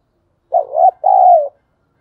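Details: Single coo phrase from a decoy spotted dove: a wavering, rising first note followed by a smooth, longer note that gently falls away.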